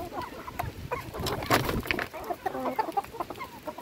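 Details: Flock of hens being fed, scattered clucks interrupted midway by a loud broadband rustle or clatter, then more short clucking calls.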